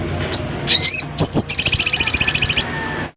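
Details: Crested jay calling a rival, giving an isolated click, then a sharp rising whistled note, two further clicks, and a steady rapid rattle lasting over a second.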